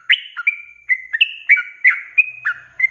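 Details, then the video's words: Cage-bird sooty-headed bulbul in 'ropelan' training song, clear whistled phrases that rise then fall, delivered quickly with short pauses between notes against a quiet background. "SUARA ROPELAN BURUNG TRUCUK GACOR||COCOK BUAT MASTERAN"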